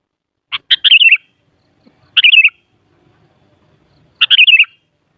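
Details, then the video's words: Sooty-headed bulbul song, played to stir a kutilang's emotion so it sings back: three short bubbly phrases about two seconds apart, each a quick burst of liquid warbled notes falling slightly at the end. "Suara Burung Kutilang Paling Ampuh Untuk Menaikan Emosip Jadikan Kutilang Gacor Nyaut"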